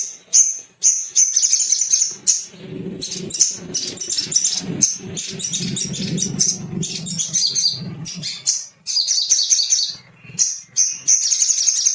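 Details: Little spiderhunter, a male sogon kept for song training, singing gacor to provoke rivals: rapid high thin chips and trills repeated in dense bursts with brief pauses, over a low background hum.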